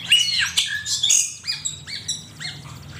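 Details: Asian pied starling in a master recording for training songbirds, harsh squawks followed by a series of short upswept whistled notes repeated about every half second.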